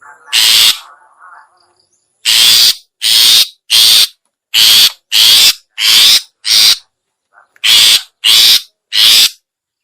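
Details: Long-tailed shrike luring call: after one harsh burst and a quiet gap comes a steady series of about ten short, grating rasps, evenly paced, with a brief pause partway through.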